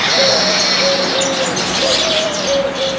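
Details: Flock of baya weavers together on a branch in a backyard garden in India, eating grains: dense, continuous chattering and buzzy twittering with thin high whistles and low, steady cooing notes in the background.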